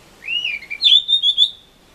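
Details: A blue rock thrush sings on a balcony in strong wind on 14 April 2013 in Misaki town: a short, clear whistled phrase, a rising slur, then three or four bright warbled notes in about a second and a half.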